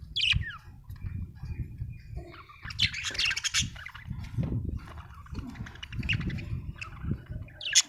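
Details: Budgerigar chirping: a series of short, sharp chirps and squawks, some sliding downward, scattered across the clip between quieter gaps, over a steady low background rumble.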